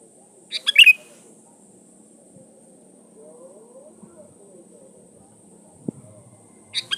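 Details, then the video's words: Sooty-headed bulbul song meant as a lure to provoke rivals: a sharp, bubbly whistled phrase early on, then a quiet stretch with a faint low murmur and a tap, and another phrase starting at the very end. "SUARA BURUNG KUTILANG GACOR SATU INI AMPUH BUAT SUARA PANCINGAN"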